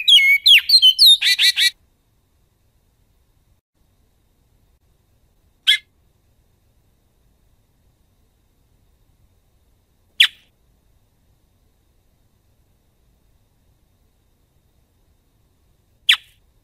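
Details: Great-billed seed finch (Sporophila maximiliani), tutoring song: teaching young birds their song.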